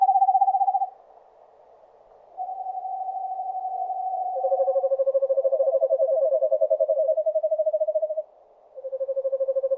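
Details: Eastern screech owl trills in a forest: a short trill, a pause, then a long wavering trill overlapped by a second lower trill, the two voices pulsing together, ending after a gap with another low trill.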